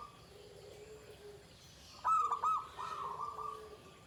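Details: Zebra dove, Pendowo Mijil line, in the shrill klare 'ke tek kuk' singing style: one loud burst of clipped coos midway, followed by a sustained wavering tone, with faint lower cooing before it.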